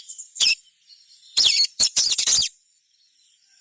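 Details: High, squeaky chattering of a little spiderhunter, said to get other sogons singing: one short burst, a pause, then a rapid cluster of four loud, bright notes, then quiet.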